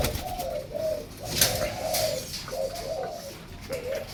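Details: Numerous pet zebra doves in an indoor cage, several pairs together, giving bursts of quick bubbling coos, each phrase rising then falling, repeated irregularly about twice a second, with a sharp rustle or clank midway.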